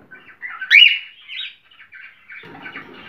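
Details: Cockatiel calling, a sound said to stimulate mating: a short series of warbling whistled notes, with a louder twisting phrase near the start, then softer chirps and a faint lower rustle toward the end.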